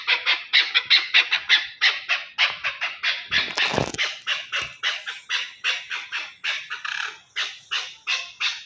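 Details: Chakor, the chukar partridge, from Pakistan giving a fast series of harsh, chattering squawks, rushed and uneven, with a brief loud crackling thump midway through the run of notes.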